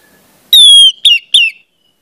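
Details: Orange-headed thrush, a song for young spotted birds to learn: one long, clear, high whistle slides slightly downward, followed by two shorter falling whistled notes.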